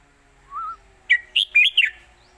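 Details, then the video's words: Red-whiskered bulbul singing an old southern Thai master song, opening 'khuen chok' style (chok kwik khwai yo), used to teach young birds: a soft rising whistle, then a quick phrase of four loud clipped, warbled notes. "ขึ้นจก"จก ควิก ไขว ยอ/สำนวนใต้เก่าๆ/เพลงใต้แม่บท(ไว้สอนนก)"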